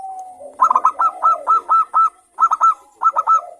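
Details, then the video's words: Lure song of a local zebra dove noted for a bright crystal voice, meant to prompt other doves to sing. A fast series of clipped, bell-like coo notes breaks briefly, then resumes in two shorter groups. "pancingan perkutut lokal gacor suara kristal bagus untuk Merangsang BUNYI kutut."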